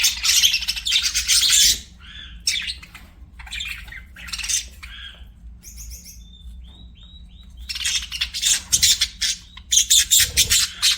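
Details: Budgie sounds arrive in bursts: loud raspy chattering spells alternate with quieter pauses holding a few soft clicks and short tonal chirps, before fast, rattling chatter returns near the end.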